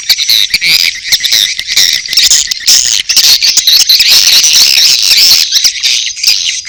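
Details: Continuous shrill twittering and buzzy chirps from edible-nest swiftlets, a mating call mix with chick calls, interspersed with fast irregular clicking bursts.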